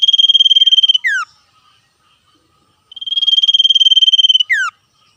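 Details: Two bouts of 'ngetir' song from a wild common iora calling back and forth with wild birds, each a high pulsed trill on one pitch ending in a quick downward whistle, separated by about two seconds of quiet.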